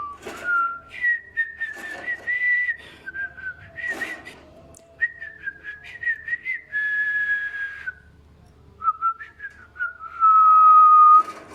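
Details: Captive female African grey parrot kept as a pet, imitating Kurdish speech: whistled, tonal syllables in short rising and falling phrases, with breathy noisy bursts between them and a long steady whistle near the end.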